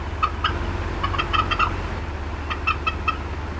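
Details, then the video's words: Bald eagle mother clucking while upset at the Decorah North nest, April 2016: a few sharp, chirped clucks in two brief clusters against a steady background drone. "MOM UPSET & CLUCKING A VERT LONG TIME"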